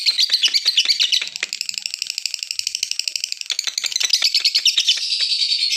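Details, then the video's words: Lovebird giving a sustained ngekek chatter, played to provoke singing: a high, grating stream of fast squeaky notes with rapid pulsing rhythm, continuing without pause throughout. "pancingan love bird ngekek"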